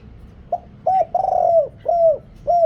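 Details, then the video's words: Spotted dove decoy from Thailand with a big voice, calling wild doves: a soft lead-in note, then a hoot, a long rolling purr-coo and two firm falling coos. "เสียงต่อนกเขาใหญ่ เสียงใหญ่"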